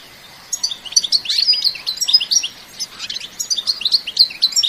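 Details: European goldfinch singing an excited bitbita-style song from nature, without added effects: after half a second of quiet, a dense, fast stream of high, twittering, tinkling notes with buzzy trills runs without pause.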